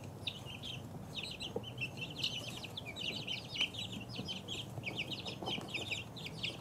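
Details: Two-week-old chicks cheeping as a group, clusters of thin high falling peeps coming in bursts, over a low murmur of movement noise.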